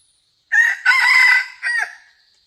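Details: Crow of a red junglefowl used in trapping with a decoy: a short harsh opening note, a long loud strained middle phrase, then a briefer falling final note, in otherwise quiet surroundings.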